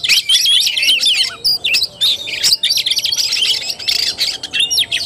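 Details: Oriental magpie-robin, tarung (fighting) style song, 17 August 2021: quick bursts of sharp high whistles and down-slurred chirps, tightly packed and separated by tiny pauses, some notes sliding steeply downward.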